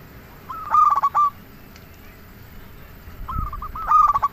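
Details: Zebra dove of a local line singing to lure other doves: two phrases of quick clipped notes ending in a clear coo, with a brief low thump between them.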